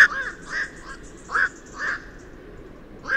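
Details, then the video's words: A Black-crowned Night Heron gives five short, harsh, barking croaks, each a hoarse 'quok', about every half second to second against a quiet background hiss. "صوت غراب الليل بلشون ليل أرأس Black crowned Night Heron sound"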